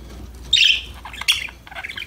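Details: Pet parakeets at play make two loud, sharp, scratchy chirps about three-quarters of a second apart, followed by softer, quicker twittering notes.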